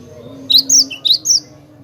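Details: Cinereous tit in clear tutor song for training songbirds: two pairs of bright, high notes, each followed by a shorter lower chip, delivered quickly against near silence.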